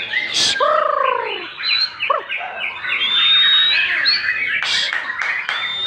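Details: Caged white-rumped shama (jembrang), a newly in-form singer selected for breeding, delivering high thin whistles and buzzy chattering phrases, preceded by two low arched harmonic notes, with sharp broadband clicks and other birds calling nearby.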